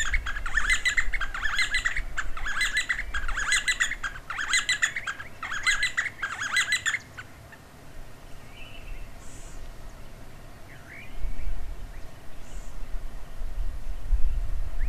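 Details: D'Arnaud's barbet near Lake Baringo, Kenya, duetting: seven seconds of rhythmic bursts of rattling repeated notes, then quieter with a few faint chirps, under steady low wind rumble.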